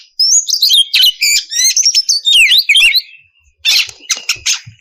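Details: Oriental magpie-robin singing to provoke others of its kind: clear whistled phrase with rising and falling slurs and rapid trills, a brief pause, then harsh rasping bursts.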